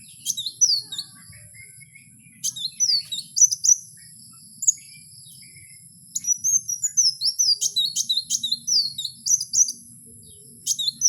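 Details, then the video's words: Song of a kowul in the wild: scattered bright, high chirps and short downslurred whistles, with a pause early on, then a denser run of rapid twittering notes toward the end. "Suara asli Kowul di alam liar"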